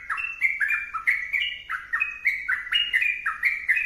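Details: Sooty-headed bulbul in vigorous song, giving fast bubbly whistled notes that step up and down, strung together in a continuous, cheerful chatter.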